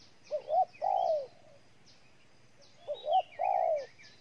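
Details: Spotted dove in Ninh Thuận, Vietnam, repeating a phrase of two quick upswept notes and a long mellow falling coo, twice, while other small birds chirp faintly in the background.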